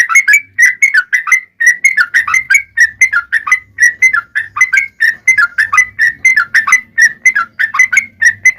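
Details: Long, fast yellow-vented bulbul song for luring others to sing: a continuous stream of bubbly, warbled chirps and short rising whistles, barely pausing, with a soft low hum behind.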